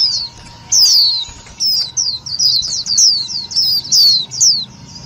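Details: Lure recording of white-eye calls for trapping, loud and clear: after a short quiet start, a busy stream of high, piercing falling chirps in overlapping pairs and triplets, with a faint steady hum underneath.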